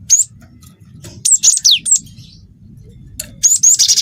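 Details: Cinereous tit song filled with canary phrases: high, thin whistles sweeping downward, quick chirps and short bright notes given in scattered groups, with a soft low background rumble.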